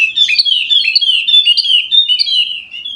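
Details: Energetic gacor singing from a golden-headed Wallacean white-eye of Sumbawa, West Nusa Tenggara, meant to set other white-eyes singing: a dense, clean run of high, wavering, down-slurred chirps in quick succession.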